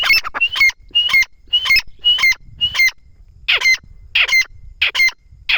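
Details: Grey francolin (teetar) calling: loud, repeated, sharp squawky notes with high ringing overtones, coming in quick bursts about every half second, with faint background rustle.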